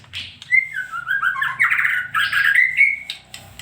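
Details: Female white-rumped shama singing a continuous, slurred whistled phrase over a steady low hum in the background.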